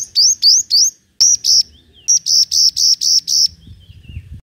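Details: Sunbird, locally called five-coloured sunbird, in competitive singing, used as a lure recording: bursts of high, sharp, slightly rising chirps, three quick notes, a pause, then two and six evenly spaced notes, with faint low rumble beneath.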